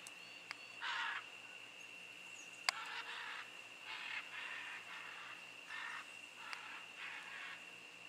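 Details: Wild scarlet macaw pair in Costa Rican jungle at San Buenaventura, Osa, January: series of rough, loud screeching squawks spaced irregularly, some doubled, with steady insect buzzing and occasional clicks.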